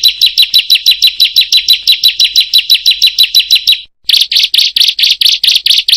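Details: Bar-winged prinia delivering a rapid 'roll tembak' and long song: a fast, even run of thin chirps lasting nearly four seconds, a brief gap, then harsher, buzzier repeated notes at a similar pace.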